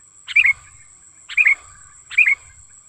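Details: Natural sooty-headed bulbul lure call used to attract wild birds and tutor kept bulbuls: three clear, rapid chirp phrases of slurred notes spaced under a second apart, against a thin steady high tone.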